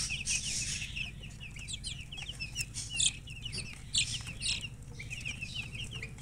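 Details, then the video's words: Just-born chicken chicks peeping loudly together, many sharp descending cheeps tumbling over one another without pause, a few louder bursts standing out above a low background hum. "Tot Murgi chicks chirping sounds Just Born Baby Gallina FRACAS Chicks Piar Loudly Sound"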